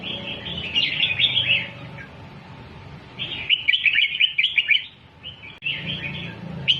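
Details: Red-whiskered bulbul song in the 'double' style, used to teach young birds to sing: bursts of bright chattering, warbled notes about a second and a half long, separated by short pauses, over a steady low hum.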